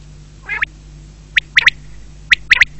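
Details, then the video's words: Quail calling: a harsh rasping note, then two quick clusters of short, sharp, chipping notes in pairs and triplets, over a steady low hum. "بٹیرے کی آواز"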